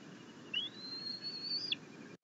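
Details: Bald eagle at the nest on 6.10.21, during a rabbit delivery by the mother and a grass delivery by the father; one long, high, thin whistle that rises and holds steady before cutting off sharply.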